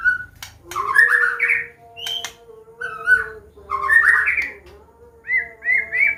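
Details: Medan white-rumped shama delivering a clear 'ngeplong' combination song as a lure for young birds: sharp clicks and a whistle, then rich warbled phrases roughly every couple of seconds, closing with repeated rising whistles, hum below.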